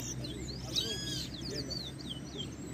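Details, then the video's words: Two caged towa towa birds in a singing competition at Ana Regina Park, Essequibo, Guyana, 2021; high, rapid twittering and looping whistled phrases, with a man counting aloud in the background. "TOWA TOWA BIRD COMPETITION"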